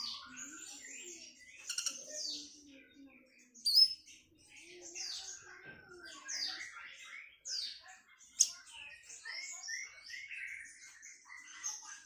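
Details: Sunda bush warbler, called tledekan melayu, giving sweet varied song: quick high whistled notes, slurred sweeps and short chattering bursts, with a few sharp clicks between phrases.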